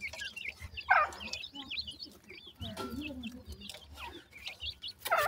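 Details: High, curving peeps from black francolin chicks come in loose series, with a louder harsh squawk near the start and end and a brief lower wavering note midway.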